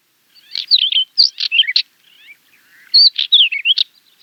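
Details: Finsch's wheatear delivering fast song in two bursts, rapid scratchy and buzzy notes interleaved with musical whistles, separated by a brief soft twittering pause; clean background.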